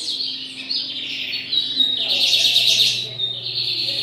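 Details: Four lined seedeaters in continuous high song, a steady stream of bright twittered and warbled notes with a louder, richer burst midway, over a faint low background hum.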